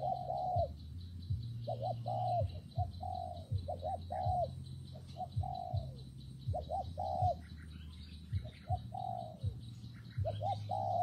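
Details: Gentle repeated coos of a spotted dove in windy, rainy conditions: brief doubled notes then longer softly falling ones, phrase after phrase, with faint high chirps from other birds and a continuous low hum.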